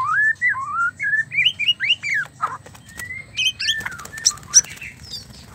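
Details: White-rumped shama during mating, sounds meant to stir males to sing: a rapid run of short, rising and falling slurred whistles, then a flat whistle and scattered sharp high chips and clicks.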